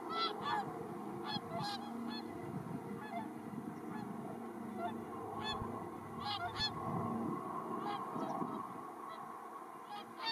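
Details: Around 100 wild Whooper and Tundra swans gleaning spilled rice in a paddy at Iwanuma, Miyagi Prefecture, Japan, 4 December 2023, many distracted by a helicopter overhead. Frequent overlapping nasal honks, some loud and bugling, come in bursts over a constant engine drone.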